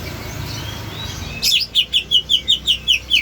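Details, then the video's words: Greater green leafbird making an unusual sound: after a quiet stretch, a quick series of eight high, clipped chirps repeated roughly three times a second, against low background noise. "cucak hijau bersuara aneh"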